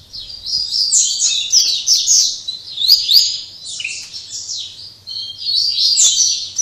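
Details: Late afternoon Máquina-style song of a captive double-collared seedeater in Jaboticabal, São Paulo, Brazil, after singing all day: a continuous stream of fast, high, scratchy trills and chattering notes with almost no pauses.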